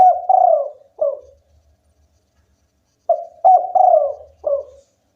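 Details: Spotted dove, local type, in lively song: a phrase ending in a long quavering coo and a drop, silence, then a full phrase of short coo, longer coos and a falling final note.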